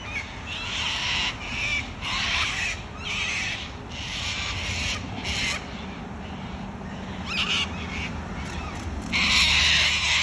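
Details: Wild cockatoo calls in Australia: repeated harsh, scratchy screeches roughly once a second, then a louder raspy burst at the end, over low background noise.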